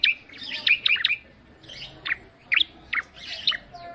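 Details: Bar-winged prinia song known as ciblek: buzzy, slightly harsh chattering notes mixed with sharp high chirps, delivered in short spaced bursts.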